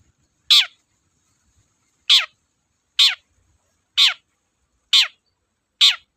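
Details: Persistent cendet (Long-tailed shrike) used to lure other birds into song: six coarse, downward-slurred shrieks repeated about once a second after an opening pause, against near silence.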